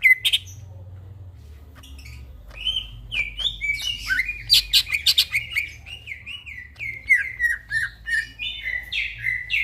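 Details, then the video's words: Greater green leafbird singing at night in gacor manner: after a quiet start, a long lively chain of chattering chips and slurred whistles builds and continues steadily, over a constant low hum. "burung cucak ijo bunyi tengah MALAM GACOR"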